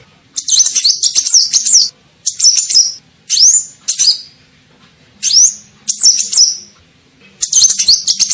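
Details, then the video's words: Kolibri ninja sunbird calling to draw in birds: brisk, high-pitched chattering phrases mixed with single rising swept whistles, about eight short bursts with brief gaps. "SUARA PIKAT KOLIBRI NINJA"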